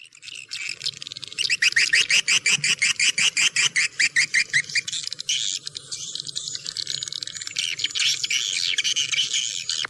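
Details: Swiftlet calls offered as a clear lure sound: rapid high chirps repeated about three times per second for several seconds, then merging into dense, overlapping twittering with a faint low hum beneath.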